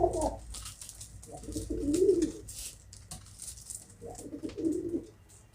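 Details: Domestic pigeons indoors, a few short low rolling coo phrases separated by pauses, with light scratching sounds.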